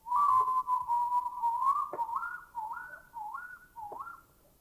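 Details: Bay owl from Thailand: a long, loud whistled note near one pitch lasting about two seconds, followed by a series of shorter rising, wavering whistles repeated roughly every half second, fading toward the end.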